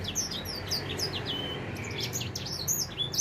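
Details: Four-month-old edel sanger finch just starting to sing: rapid high twittering of short chirps and downslurred notes, with a brief drawn-out whistle, over a faint low background hum.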